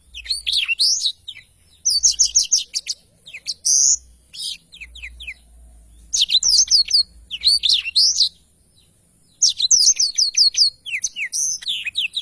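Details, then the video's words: Blackthroat in energetic long-rolling song, delivering bursts of fast, high, twittering notes and swept whistles separated by short pauses over twelve seconds. "Tarikan Suara Blackthroat Super Gacor Ngerol Panjang II masteran burung blackthroat (audio jernih)"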